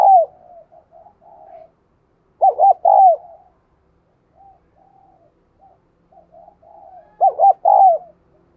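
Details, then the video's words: Spotted dove cooing as a lure to stimulate males: two strong phrases of rapid, wavering hoots about five seconds apart, separated by gentle low cooing notes. "Tiếng Chim Cu Gáy Kích Bổi Căng Lửa Hiệu Quả, Thúc Gù Rất Sung - Chim Cu Mồi"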